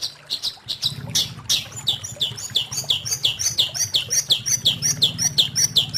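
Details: Long-tailed shrike singing a fast run of short, high, downward-sweeping chirps repeated about three times a second, with a low hum underneath.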